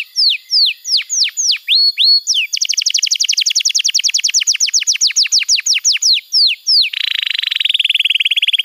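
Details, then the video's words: Canary tutor song used to get young and silent canaries singing: several swooping whistles, a long rapid run of crisp downslurred chirps, more whistles, then a dense low buzzing trill to the end. "Masteran Kenari PAUD & Pancingan Kenari MACET BUNYI"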